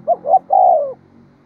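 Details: Single coo from a decoy spotted dove meant to lure wild birds: two short soft hoots followed by one longer, slightly falling note.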